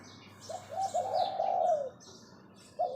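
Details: Decoy spotted dove luring with one long, rolling, purring coo phrase that drops at the end, then the start of another note, with soft high chirps of other birds behind.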